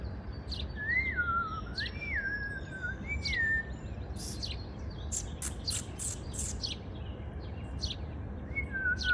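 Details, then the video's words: A bird sings in the morning while building its spring nest. It gives clear, slurred whistles that rise then fall, mixed with sharp, high chirps from other notes, all over a low, steady rumble. "Morning sing along with beautiful bird while building his or her spring nest."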